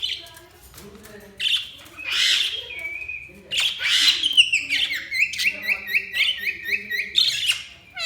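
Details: Budgerigar chirping: scratchy squawks followed by a steady series of rapid repeated warbling chirps, evenly spaced, bright and high-pitched.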